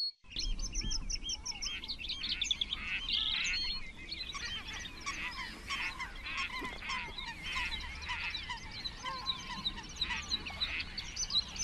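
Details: Great crested grebes at the nest, one of about twenty pairs nesting close together, 21 June 2024: harsh, honking, croaking calls in rapid overlapping bursts, with high twittering small birds throughout.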